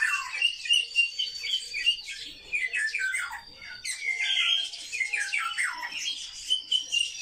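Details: A group of sparrows kept in captivity calls constantly, with bursts of bright twittering chirps and descending squeaky notes pulsing in quick irregular waves.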